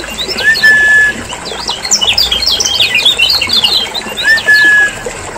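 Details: Lemon-bellied white-eye of Lombok, played to coax reluctant caged birds into calling. Fast bursts of sharp high chirps sit between two long steady whistles, each opening with a brief upward slide.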